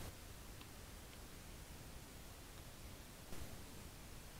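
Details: Steady faint hiss and background static with a soft rustle, no animal calls.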